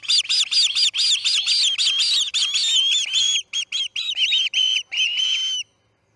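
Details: Osprey calling at the Charlo nest during a chick's fledging, early morning of August 10, 2018: a quick run of shrill whistled notes, then spaced single upslurred chirps before silence.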